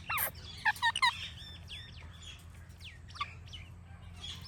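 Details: Ringneck parrot giving natural chirping sounds: a loud burst of sharp calls in the first second, then faint scattered chirps over low steady background hum.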